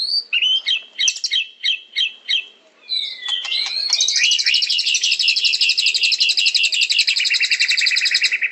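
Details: White-rumped shama (murai batu) gives sharp chips spaced about a third of a second apart, then a rising whistle leading into a long, dense, rapid trill.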